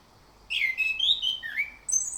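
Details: Morning lure song of an orange-headed thrush, meant to coax rolling ngerol singing: a burst of varied whistled phrases, some dropping and some rising, ending with a sharp high note after a brief pause.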